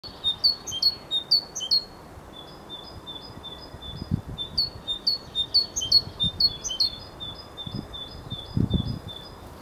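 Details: Great tit (Parus major) at Modřanská rokle, Prague, on 11 March 2015: quick high two-note phrases, a sharp note dropping to a lower one, repeated in bursts several times a second, with low rumbling background noise.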